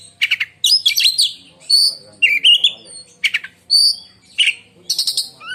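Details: Oriental magpie-robin, a contest bird, singing a loud, shrill, piercing song likened to lightning strikes: bursts of high whistled notes and harsh buzzy chatter, separated by short pauses, with varied sweeping phrases.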